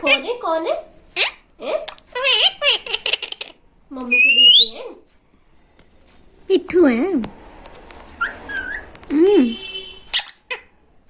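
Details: Talkative pet parrot mimicking human speech indoors: bursts of warbling, word-like phrases including "Mommy", a rising whistle, and short squawks, with pauses between utterances.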